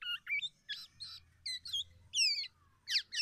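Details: Softer passage from a tame, actively singing black-naped oriole: short chirps and buzzy, scratchy notes, then two louder descending slurred phrases. A faint low hum sits in the background.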